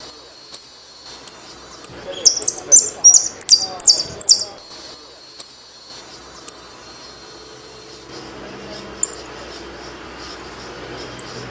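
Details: Argentine saffron finch singing: a burst of high, sharp chirped notes and short buzzy phrases in the middle, preceded and followed by sparse single high tweets spaced about half a second apart; faint background hiss.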